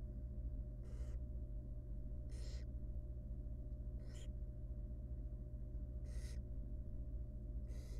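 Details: Wild barn owl nestling begging in its nest box while its mother feeds it a big rodent: five harsh, wheezing hiss-screeches every one to two seconds, backed by a continuous low hum.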